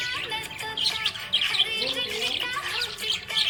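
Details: Happy budgerigar chirping in a quick, buzzy run of short warbled notes and bright chirps that come in bursts, over steady background music.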